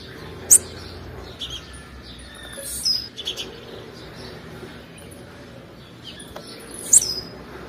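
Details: Female blue-black grassquit call, used to stimulate males: two sharp, very high chirps about six seconds apart, with faint thin whistles and soft rural background between them.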